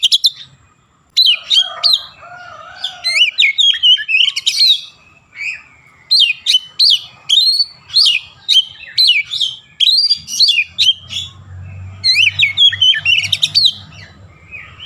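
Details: Oriental magpie-robin in vigorous song laced with mimicked Javan myna calls: a long, busy run of bright whistles, chirps and fast sweeping notes, nearly continuous, with a low hum in the later part.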